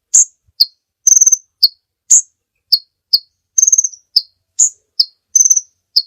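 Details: A kolibri ninja sunbird sings steadily for use as a master recording: high upward tweets, lower sharp chips and brief buzzing trills follow each other in quick succession, roughly two notes per second.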